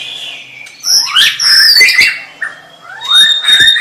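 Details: Loud white-rumped shama song for training other shamas: a steady thin whistle, then upward-swept rich whistles, sharp snapping clicks and scratchy notes, ending in a swelling sliding phrase.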